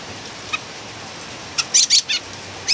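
A Philippine bulbul gives a quick run of harsh, scratchy notes, five or six in under three seconds, high-pitched and chattering, over a faint background hiss.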